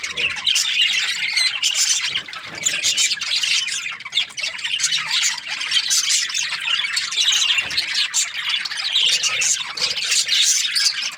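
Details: Australian budgies chirping nonstop, a thick mesh of rapid high tweets, raspy squawks and chattering warbles overlapping throughout, the level rising and dipping slightly in waves.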